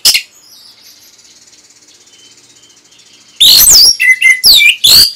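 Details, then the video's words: Orange-headed thrush song used as a training recording for caged birds: after a long near-silent stretch, a dense burst of loud, high, twittering and whistled notes with quick slurs, broken by short pauses. "ANIS MERAH PASTI MENGIKUTI KICAUAN MASTERAN INI"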